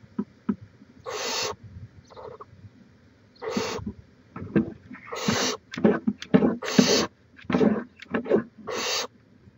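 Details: Barn owls at a nest box in Chula Vista, California, filmed on 18 May 2017: rough, hissing bursts roughly half a second long, several overlapping and irregularly spaced, with rustling and knocking sounds between them.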